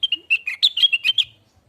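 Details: Lesser green leafbird in a tutoring track: a loud, dense run of quick whistled and chattering notes that rise and fall slightly, ending abruptly.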